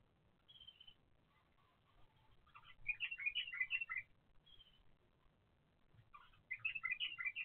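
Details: Bulbul chicks in the nest, filmed by a monitoring camera, giving bursts of high, thin, quavering chirps in quick jumbled runs, separated by short quiet gaps with a faint drawn-out whistle.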